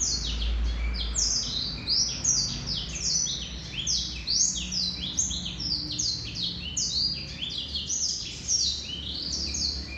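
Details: Male Black-throated Canary singing a continuous, fast-paced song of high, sweeping notes, mostly sliding downward, delivered in dense unbroken bursts across the whole stretch, over a faint low hum.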